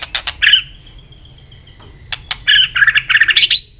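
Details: White-rumped shama singing in a contest, flicking its tail: sharp clicks, then a long thin steady whistle and a burst of rapid chattering notes.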